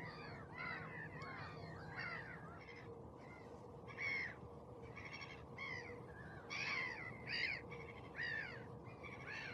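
An osprey gives short, shrill, slightly harsh calls in quick bursts of two or three, repeated every second or so, over a steady low hum.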